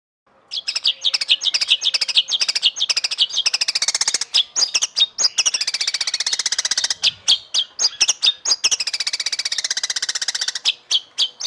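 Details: Training song of a white-rumped shama, said to be the kind most noticed by judges: fast, continuous high chattering chirps and clicks, repeated several times a second with brief gaps.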